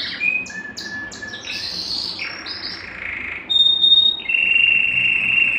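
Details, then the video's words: Singing Belgian canary, meant to stimulate males and ready females for breeding: short separated whistles, a buzzy phrase, then long bright sustained whistled notes. "Canto Para Esquentar Canário Belga e Foguear as Fêmeas"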